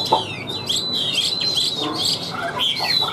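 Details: Chinese hwamei from the wild, known for flicking its wings and for its fig-leaf tail, delivering powerful song: a long high sustained whistle followed by quick slurred notes and short trills, with a sharp note at the start.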